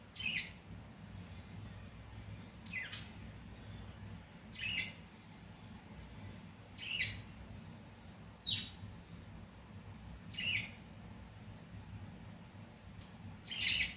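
Parakeet giving sharp, scratchy chirps, single or paired, roughly every one to two seconds, over a steady low hum.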